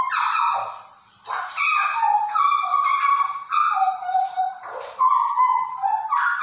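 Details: Close, loud song of a mottled ('blorok') Hooded butcherbird, 29 October 2019: rich, reedy notes with strong overtones, some held, some falling, in a varied run of short phrases.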